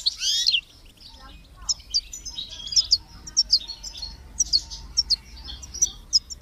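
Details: Goldfinch and chick chirps for motivating kept goldfinches: one loud twittered flourish at the start, followed by a steady series of short, sharp high chips spaced about half a second apart.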